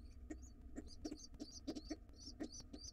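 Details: Wild pigeon chicks in a nest box clamour to be fed as their father arrives; shrill squeaky peeps, some bending upward, come in quick bursts, mixed with low thuds and shuffling of the birds.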